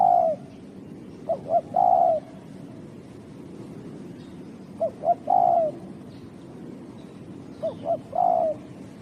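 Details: Spotted dove calling in a setting tied to mikat, the patient hobby of luring wild birds. Three low cooing phrases, each two short soft notes then a longer wavering coo, repeat about every three seconds over faint steady hiss.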